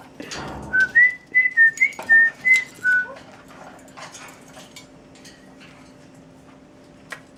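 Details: Cockatiel whistling the "Tequila" melody: seven crisp, pure notes in quick succession over about two seconds, then near quiet with soft room noise and a single sharp click near the end.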